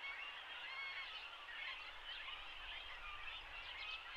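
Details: Great Cormorant chicks, nearly adult-sized, beg at a feeding in late May in a riverbank colony shared with grey herons in Shin'etsu, Japan, giving a steady chorus of high, wavering, overlapping squeals without pause.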